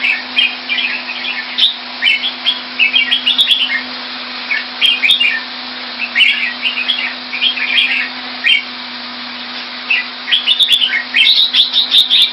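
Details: Caged red-whiskered bulbul in Singapore, kept Thai style, dated 2018, singing repeated clusters of cheerful warbled whistles, phrases every second or so, louder near the end, over steady hum and hiss.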